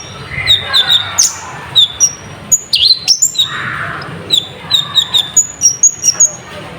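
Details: Sunbird (konin) lure song meant to raise other birds' temper, with full fill phrases: bright piercing chips, quick whistled slurs and a few harsher notes in fast broken runs.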